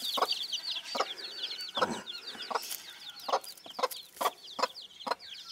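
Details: Broody bantam hen with chicks: regular soft clucks, a few spaced closer together, over a dense, continuous twittering of high chick peeps.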